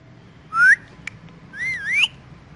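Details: Pet rose-ringed parakeet calling in the morning: two clear, whistled, rising notes, the second longer and wavering, with a soft click between them over faint low hum.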